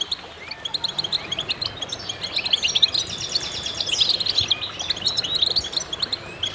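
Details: Massed goldfinch song: continuous high, jangling twitter from many birds, building in density toward the middle with rattling trilled phrases, then steady chirping to the end.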